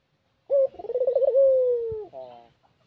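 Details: Spotted dove cooing in the afternoon, its call used as a lure to draw in rivals. A short opening note leads into a wavering, pulsing coo and a long, drawn-out descending note, then a brief rough ending.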